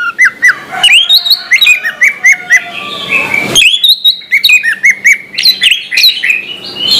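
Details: Vigorous morning song from an orange-headed thrush: a rich stream of jumbled whistles, quick downslurs and sweet warbles with almost no pause, one brief click near the middle.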